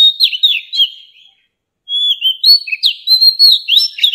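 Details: Song of a mature forest-caught Oriental magpie-robin, used for tutoring young birds: two bursts of rich, rapid whistled phrases with slurred up-and-down notes and thin high squeaks, separated by a half-second pause; no other sounds.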